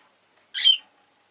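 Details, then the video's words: Rosy-faced lovebird, kept as a pet, gives a single short, loud, harsh and shrill squawk against an otherwise quiet background. "Lovebird Chirping Sounds"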